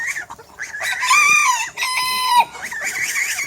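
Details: Roosters and chickens in a backyard on a farm with over 100 animals: a rooster crows loudly with a drawn-out, rising then falling cry, amid background clucking and chatter of other fowl.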